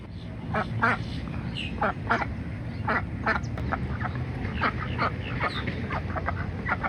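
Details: Pekin ducks in Florida during courtship, a female calling to attract a male: many short rapid quacks and chattering notes, overlapping and irregular, over a low constant rumble.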